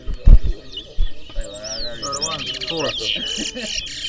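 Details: Twa-twa during a singing race at New Amsterdam, Berbice, Guyana, 2024; after people's talk and thuds, sweeping whistles lead into fast buzzy trills that keep going to the end.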